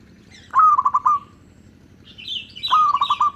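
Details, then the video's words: A local zebra dove's cooing song, used to lure other zebra doves. It gives two phrases of crisp, rapidly repeated coo notes, opening with a louder accented note. A burst of higher twittering from another bird comes just before the second phrase. "Suara Merdu burung Perkutut LOKAL Sangat COCOK Buat PEMIKAT Semua jenis Perkutut"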